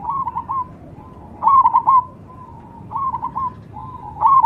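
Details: Cemani zebra dove giving short cooing phrases: quick stuttered notes then a soft drawn-out coo, repeated roughly every one and a half seconds.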